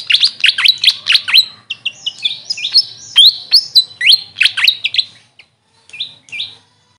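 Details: Grey fantail, known locally as Maria Capra, gives rapid, high, squeaky downslurred chirps in a busy run. The run thins out into a few scattered thin notes before falling silent.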